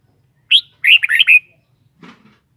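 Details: Red-whiskered bulbul in captivity delivering one clear phrase: an opening whistled note, then four fast, slurred, cheerful whistles running together. A brief soft rustle follows a moment later.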